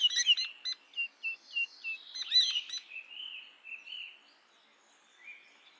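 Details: Indian or common myna calling: a series of short, evenly spaced whistled notes about three per second, with sharp clicking bursts, then softer gurgling warbles that fade out.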